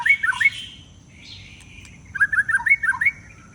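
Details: White-rumped shama kept in a cage, bathed and then covered again in bad weather, singing bursts of rapid, bubbling warbled notes separated by a brief softer pause.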